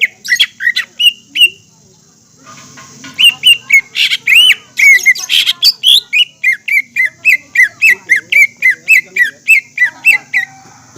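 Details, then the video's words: Green leafbird song used as a lure for young, juvenile and group-kept birds. Loud varied whistles open the clip, then a long, steady series of sharp, downslurred whistled notes repeats about three times per second. A high hiss is in the background. "PANCINGAN CUCAK IJO GACOR BUAT IJO BAHAN,TROTOL DAN OMBYOKAN AGAR GACOR DAN EMOSI"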